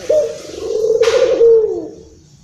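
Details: Local Barbary dove from Indonesia, described as agitated, giving one long coo of about one and a half seconds, a steady low tone that wavers then falls at the end, with a brief hissing burst partway through.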